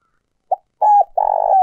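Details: Trapping decoy spotted dove, an old bird from the forest, starting a coo: a short note, a bent coo and a long burry note, cut off at the end.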